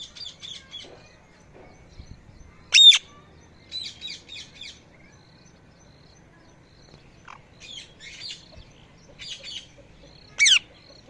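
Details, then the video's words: Parrot calling and chirping: short clusters of rapid high chattering notes, plus two loud sharp upward-sweeping shrieks near three and ten and a half seconds, over a quiet background. "Parrot Calling Sounds | Parrot Chirping Sounds || Parrot Natural Sound"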